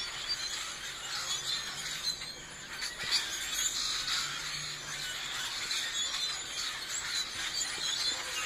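A flock of birds chatters nonstop, a dense wash of high, overlapping chirps and squeaks with no single clear voice.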